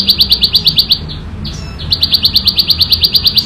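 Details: Wild ciblek sawah prinia in loud, clear ngebren song: rapid, evenly spaced buzzy chips, roughly three each second. A short pause with a soft sliding note splits two bursts.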